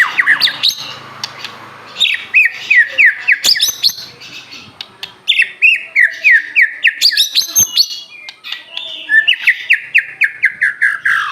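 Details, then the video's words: White-rumped shama of the Aceh type singing nonstop: repeated rapid series of descending slurred whistles, each run lasting a second or two, with sharp high clicks between runs. "murai batu aceh gacor"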